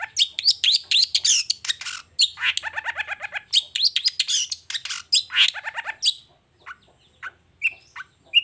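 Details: Long-tailed shrike singing in the morning, a fast varied medley of sharp chirps, buzzy notes and rapid descending trilled series, bursts close together before thinning to scattered whistles.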